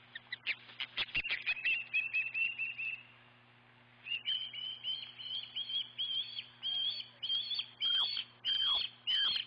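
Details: Osprey at the Dunrovin Ranch nest giving shrill whistled chirps, first in a quick run, then after a short quiet gap in a slower, louder series of rising and falling piercing notes.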